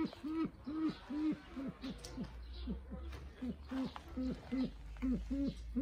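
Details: Brown eared pheasant giving a long series of short, low, hooked tonal notes, each dipping at the end, about two to three per second and fairly even throughout, over a faint low background rumble.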